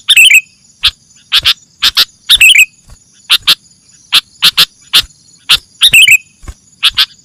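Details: Sooty-headed bulbul lure recording: rapid sharp chips, often in pairs, broken by three short warbling twitters, with a constant faint high-pitched hum behind.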